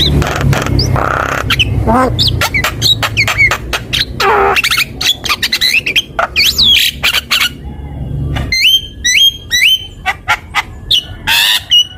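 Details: Extended Javan myna bait song: dense harsh chatter, clicks and bent whistles over a low hum, then a cleaner run of quick hooked whistled notes near the end.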